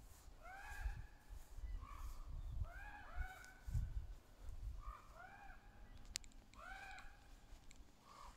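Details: Ravens, juveniles and adults, calling back and forth in the trees: repeated arched, hoarse caws, often in quick pairs, over steady low rumbling background noise.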